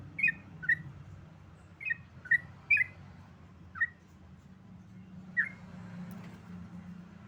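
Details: Scattered, loud whistled notes from a sooty-headed bulbul in 'ropel' singing, given singly or in pairs at irregular intervals over a steady low background hum.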